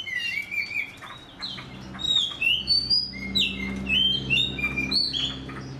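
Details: Black-bellied magpie producing clear whistles that rise and fall, interspersed with short sharp chirps, over a faint low droning hum.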